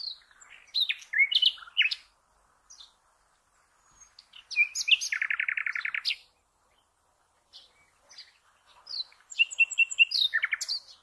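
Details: Common nightingale song used to train cage birds, in bursts of varied high chirps and a long rapid buzzy trill, separated by pauses of silence.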